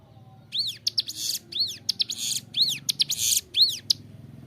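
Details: Tutor song of a vigorous captive bar-winged prinia: after a short quiet start, bright arched whistles alternate with scratchy high buzzes in a brisk repeated pattern, ending abruptly, with a soft low background rumble.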